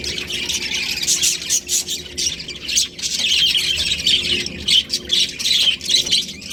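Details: Aviary of baby budgerigars giving harsh, rapid squawks and chirps in an unbroken overlapping chorus that swells and dips in loudness.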